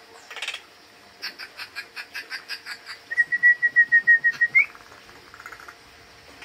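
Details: Wild bird drawn toward a person by food, losing its fear; a rapid train of clipped, scratchy notes, a level sustained whistle with a rising flick at its end, then softer chatter.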